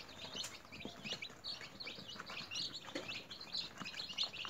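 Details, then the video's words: Many newly hatched chickens kept in a cage at home give steady high-pitched peeps, short clipped notes tumbling over one another without pause, with a few soft knocks and rustles underneath. "Newly Hatched Chicks Activities"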